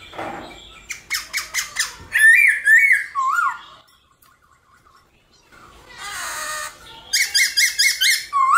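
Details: Caged black-throated laughingthrush singing in the morning, played to stimulate other birds to sing: loud rapid repeated chattering notes, then slurred whistled phrases dropping in pitch, a pause, a harsh burst and more fast repeated notes.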